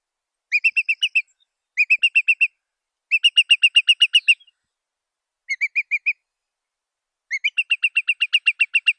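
A curlew gives fast, clear, high piping notes in runs of six to twelve, each burst broken by short pauses; nothing else is heard.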